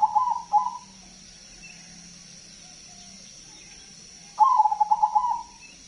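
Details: A crossbred zebra dove (perkutut crossing), noted for its big voice, gives two soft, rolling cooing phrases of quick staccato notes, the second longer. A steady high insect-like hum runs underneath.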